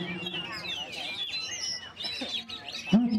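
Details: Oriental magpie-robin singing at a songbird contest being judged: rich, varied whistles and slurred notes, some rising and falling, over a murmur of human voices and a steady low hum.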